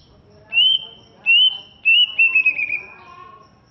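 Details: Greater green leafbird from Alas Purwo, Banyuwangi, East Java, with a large build and fierce look, gives three loud clear whistles about every 0.7 seconds, then a quick fluttering trill, with a faint lower tone underneath.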